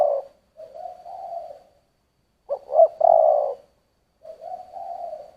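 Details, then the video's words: Spotted dove, "giọng thổ" style coo: gentle sustained low notes bracket a louder phrase of two quick clipped coos leading into a strong held note, with quiet gaps between. "Tiếng chim cu gáy giọng thổ"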